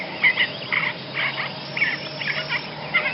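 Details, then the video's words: Basra reed warbler song: harsh, croaking, chattering phrases with a few clear whistled notes, in quick bursts about twice a second over a faint low hum. "kicauan burung Basra Reed Warbler"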